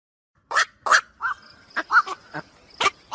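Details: Black-crowned night heron calls played as a lure for the 2023 night bird trapping season: short, harsh, barking croaks about one per second, some rougher and wider, with a faint steady high hum behind.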